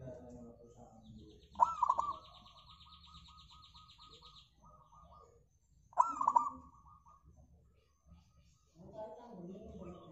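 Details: Local zebra dove, played as a lure to start other birds singing, opens each phrase with a loud stuttered burst followed by a run of even soft coos, a high buzzing trill behind.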